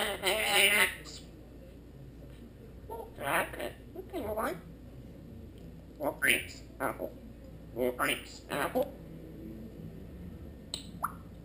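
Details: Female Congo African grey parrot, one year five months old, kept as a pet and filmed on a GoPro Hero 2, seemingly asking for apple or grapes; a harsh wavering vocal burst opens, then short clipped speech-like bursts spaced through a quiet room.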